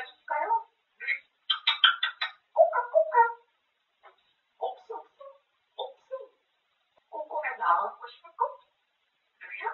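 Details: Grey parrot talking ceaselessly about eating, with rapid speech-like chatter, a burst of higher sharp syllables, a quieter stretch of scattered words, then a renewed phrase.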